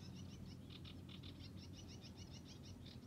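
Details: In Swedish reedbeds at Hörningsholm on Alnö, 9 July 2021, a sedge warbler keeps up its song: rapid repeated dry chirps and rattling notes delivered in an even stream, with constant low background hum.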